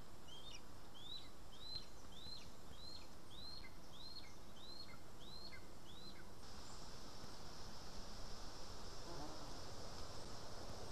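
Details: Lesser spotted eagle at the nest in Estonia, 2 August 2020, being fed voles: a run of about nine thin, upslurred whistled calls, roughly two per second, over steady background noise.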